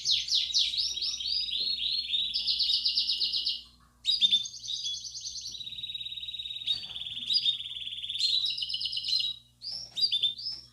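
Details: Bell-style singing from a Belgian canary aviary, played to get young canaries singing; bright high trills and sweeping tours in long unbroken phrases, a brief silence near four seconds, then sustained rolling trills, with a quiet low hum.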